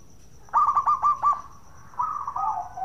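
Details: Local zebra dove singing actively, a lure to prompt other doves to sing: a quick run of five soft, pulsing coo notes at a steady pitch, a pause, then a longer warbling coo that drops slightly at the end.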